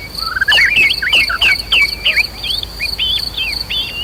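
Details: Challenging white-rumped shama song for stirring a bird's fighting spirit. Fast loud looping whistles, some rising and falling sharply, come in a quick series and then soften, against a constant high insect buzz.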